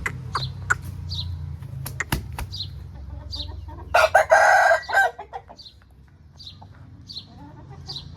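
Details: An Aseel rooster delivers a single hoarse, buzzy crow lasting about a second. Small birds chirp repeatedly in the background and there are occasional clicks.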